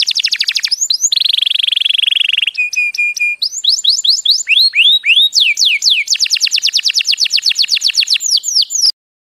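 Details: Canary song used for training young canaries to sing and for stimulating breeding birds. It is a clean, varied sequence of rapid trills and repeated rising and falling whistled notes, with fast rolling tours and a steady buzzy trill mid-phrase.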